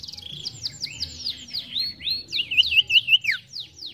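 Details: Ashy tailorbird (sirtu) in chatty song: a quick series of sharp high downslurred notes that speeds up into bright rolling looped whistles and ends in a sweeping downward note.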